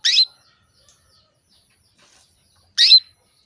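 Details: Female canary calling to a male, a lure meant to bring the male into breeding condition and get him singing: two short, loud, sharp chirps, each a quick high burst, spaced nearly three seconds apart in near silence.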